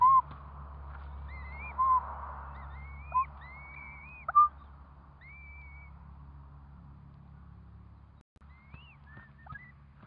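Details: Curlew calling as four chicks hatch: scattered soft notes and several short upward-curving whistles over ten seconds, some arching higher near the end, with a low hum throughout.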